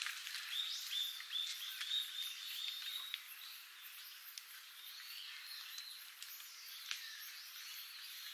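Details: A young Narcissus flycatcher on Miyako Island gives thin, high, short notes, several in the first three seconds, over a steady hiss of insects and background noise.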